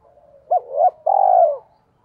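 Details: Spotted dove decoy call in the local 'giọng thổ' voice, used to quickly provoke wild doves: a short hooked coo, a rising swelling note, then a longer vibrating coo that slides downward and fades.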